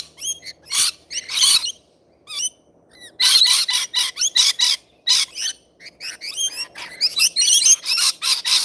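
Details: Several wild rainbow lorikeets feeding give harsh, high screeches and rapid chattering in quick overlapping bursts, with short pauses between flurries.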